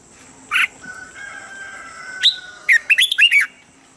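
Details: Red-whiskered bulbul singing a standard training voice each morning: a short sharp note, a faint thin whistle, then a sudden upslurred note followed by a lively run of four rolling, chirpy phrases.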